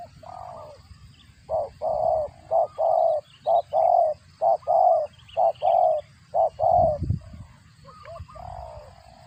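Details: Spotted dove feeding its chicks, giving a cricket-like call: about ten short, nasal, mid-pitched notes in quick, fairly even succession, then a pause and a few softer notes, over a faint low rumble.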